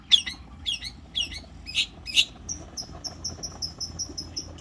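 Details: Long-tailed shrike kept as a song model for contests, giving five spaced harsh chattering bursts, then an even series of thin high notes about four per second, against a quiet background.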